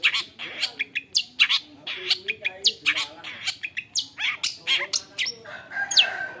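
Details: Long-tailed shrike (cendet), a clever bird able to imitate many other birds, sings a dense run of harsh squawks, sharp chirps and short whistled slurs, most of them rising, repeated several times a second.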